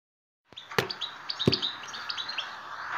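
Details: European goldfinch song played to stimulate captive goldfinches: a run of bright, twittering high notes with a pair of sharp knocks near the start and a hissy background.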